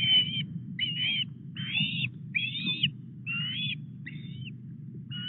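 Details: Osprey at the Llyn Clywedog nest in Wales on 4 August at 09:33, as a large headless fish is delivered to the nest. The bird gives a series of shrill whistled chirps, about seven bursts in five seconds, over a steady low rumble.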